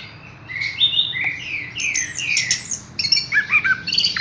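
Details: Short Horsfield's bush lark phrase: a series of clear downslurred whistles followed by a quick burst of sharp, clipped high notes.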